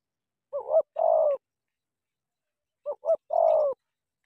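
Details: Clean, quiet coo phrases of a spotted dove decoy in Cà Mau, Vietnam, facing a wild bird. Two phrases, each of two quick rising-falling notes and then a longer steady coo, separated by silence.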